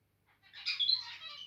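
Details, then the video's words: A brief burst of zebra finch song: a soft lead-in note, then a dense, buzzy, rasping phrase with bright squeaks, from a bird described as getting territorial. "Territorial Birb Today (Makes Cute Noises Near The End) Zebra Finches"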